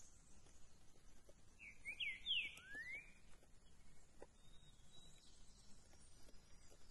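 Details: A Green-winged Saltator, reportedly recorded 13 September, gives one brief phrase of a few clear, slurred whistles, rising then dropping, over a steady high insect hiss and low rumble.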